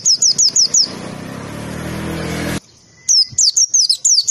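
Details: Pleci, or white-eye, singing a tembakan training song. Quick high chirps are briefly drowned by a loud passing engine, then the rapid, sharp downslurred notes return after a moment of quiet.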